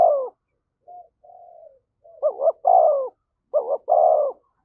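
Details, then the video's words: Spotted dove cooing in the thổ voice style to provoke a fight: a few soft, low introductory coos, then two loud phrases, each a quick double note followed by a drawn-out, falling hoarse coo. No background sound. "tiếng chim cu gáy thúc đấu"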